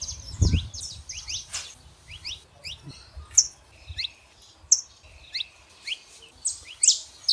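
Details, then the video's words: Male and female saffron finches sing to stir a silent canary, giving scattered thin rising chirps and occasional sharper high notes over soft low background rumble. "canário da terra fêmea e macho pra esquentar seu canário frio"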